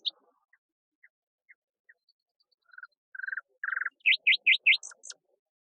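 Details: Nightingale song, claimed to copy many other birds: a few soft spaced clicks, then short low chattering bursts building louder, followed by three loud ringing high notes and thin very high squeaks at the end.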